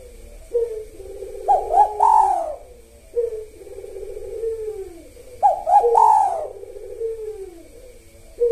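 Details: Spotted dove singing in the 'kuk satu' style, used as a lure rhythm at sahur, the pre-dawn meal time when it often calls: a low purring coo, then two quick rising notes and a bright drawn-out falling coo, given twice.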